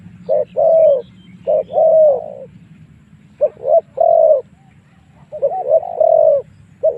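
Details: Spotted dove calling as a fighting lure for wild doves: mellow, hollow coos with quick short notes before drawn-out ones, repeated in three phrases over a quiet low rumble.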